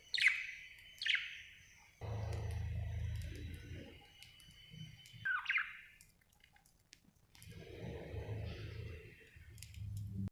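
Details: A happy budgerigar gives three short, sharp chirps that sweep down from a high pitch, two close together at the start and one midway, separated by long stretches of low rumbling and rustling noise.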